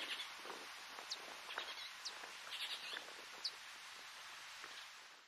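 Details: At Estancia Cristina, Argentina, in March 2022, a Diuca Finch gives a few short, high chirps, spaced a second or so apart, over a steady hiss of wind and rustling leaves.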